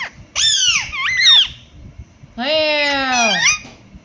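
An Indian ringneck parakeet mimics a cat: two drawn-out, wavering meow-like cries, the first bending up and down, the second a long nasal wail that falls away.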